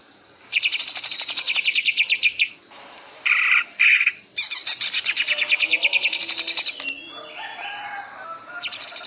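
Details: Greater green leafbird singing ngentrok style as contest training: rapid metallic stuttering rattles of about two seconds each, separated by two short harsh buzzy bursts, with softer warbling and a new rattle starting at the end.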